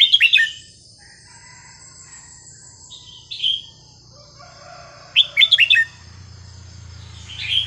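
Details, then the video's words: Red-whiskered bulbul singing varied, non-repeating phrases to teach young birds: a quick whistled burst, a lone slurred note, then a rapid four-note bubbling phrase, with faint softer chirps and a thin high whine between. "นกกรงหัวจุกสำนวนเพราะๆ ร้อง เพลงไม่ซ้ำกัน เปิดสอนลูกนก"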